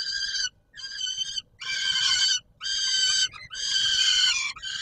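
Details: Feeding-time calls of peregrine falcons at Warsaw's Palace of Culture and Science, July 2022: loud, strained, buzzy screams about a second long, repeated roughly once a second with brief pauses.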